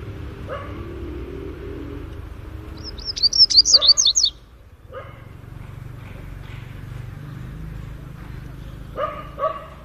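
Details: Double-collared seedeater, Greek song style: a fast burst of about seven bright, sharply modulated whistles lasting roughly a second and a half. Scattered lower clicks and knocks come before it and after a pause.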